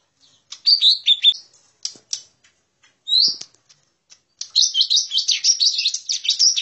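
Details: Lesser green leafbird lure sound: a few soft slurred whistles and isolated clicks, a single loud note, then a sustained busy stretch of high twittering chirps to the end.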